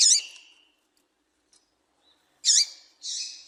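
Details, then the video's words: Female double-collared seedeater call meant to stir males to sing: a sharp high chirp with a trailing buzz, a long pause, then another crisp chirp followed at once by a softer buzzy note. "Piado de Fêmea de Coleiro para Foguear Coleiro tui tui"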